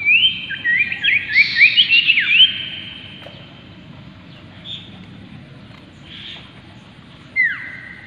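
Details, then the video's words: Common iora (Aegithina tiphia) giving a quick run of bright, rising whistled notes, then softer whistles and a final downslurred note; a low background hum persists. "BURUNG CIPOH paling sukses bikin sirtu lain yang mendengar ikut emosi dan gacor"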